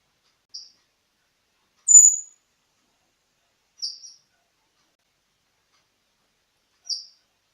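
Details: Siberian thrush song, used as a lure to prompt young birds to start singing: four brief, very high thin notes spaced by long silent pauses, the second slightly longer and louder, sliding downward; no other sounds.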